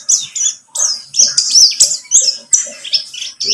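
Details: White-eye of the pleci buxtomi type, recorded as a lure to trigger singing: dense, high-pitched twittering with quick chirps and sharp whistled slurs, delivered in rapid bursts almost without a break.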